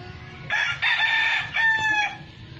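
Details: Red fighting rooster (gamecock) crowing: a loud, strongly harmonic call that starts abruptly, holds steady, breaks briefly and resumes in a second drawn-out segment lasting about a second and a half overall, over a low rumbling background.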